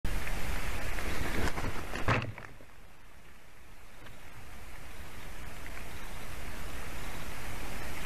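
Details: Wind and rumbling noise at an eagle nest camera in Durbe, Latvia, on a November morning, with a loud burst near two seconds and no bird calls.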